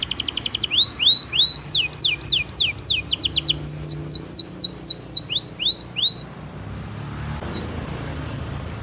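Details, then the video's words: Domestic canary singing a fast, dense training song meant to prompt young canaries to sing: rapid rising whistled sweeps and bright trills repeated several times a second, fading out after about six seconds. "Kenari Gacor Speed RAPAT cuit cuit Ngerol Tajam 99% Ampuh untuk Pancingan Kenari Paud Belajar Bunyi"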